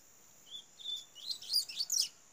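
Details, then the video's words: A young double-collared seedeater sings two thin, high whistles, then a quick burst of rising, twittering notes, over a faint steady high-pitched hiss. "CANTO do FILHOTE DE COLEIRO"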